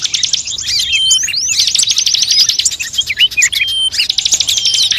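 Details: Luring mix of assorted songbirds such as magpie-robin, shama and bulbul; busy high-pitched trills overlaid with swooping, rising and falling whistled notes, ending in a renewed chattering burst.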